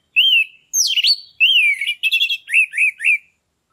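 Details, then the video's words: Orange-headed thrush song used to stimulate breeding condition in a stalled bird: a rich, varied phrase of clear, high whistles, buzzy notes and three quick slurred chirps, with no other sounds. "PANCINGAN ANIS MERAH YANG MACET BIAR CEPAT NAIK BIRAHINYA"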